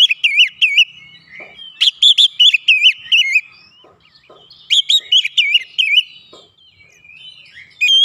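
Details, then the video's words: Oriental magpie-robin stirred by a lure recording into emotional, persistent song: two bursts of rapid warbled whistles with crisp clicking notes, separated by a quiet gap, another phrase starting at the end. "pancingan Kacer langsung keluar emosi ngotot bongkar isian"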